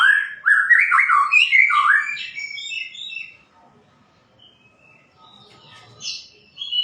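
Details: Loud, rich whistled phrases of a white-rumped shama, tumbling and sliding in pitch for about three seconds, then near silence before a few thinner high notes near the end.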